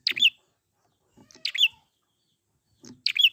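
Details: Prinia recorded in the wild, played to get birds singing: three short, loud bursts of piercing, high chipping notes spaced about one and a half seconds apart, each preceded by a soft low note, in otherwise quiet surroundings.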